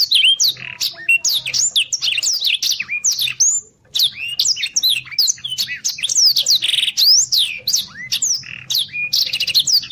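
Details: Long, nearly unbroken Blackthroat song of fast, varied whistled phrases, sharp descending sweeps, rattling trills and high chips, with one brief dip before the torrent continues, recorded as training song for contest birds.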